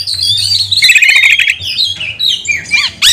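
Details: Oriental magpie-robin song used as a lure to train and provoke other magpie-robins: loud, dense run of harsh squawks, buzzy trills and high whistled notes, ending in rapid arched chirps, with a low steady hum beneath.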